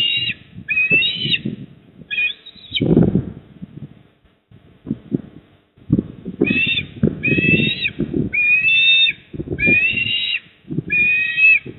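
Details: Eastern osprey calling at its nest, Port Lincoln, South Australia, 28 October 2024, 19:26. Three quick whistled calls, a short pause, then a run of about six more, over rumbling wind and thuds.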